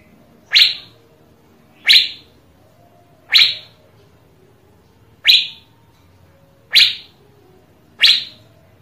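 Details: Asian fairy-bluebird calling in a recording made to spur other birds to sing: six single sharp descending notes, evenly spaced about every one and a half seconds, clean background.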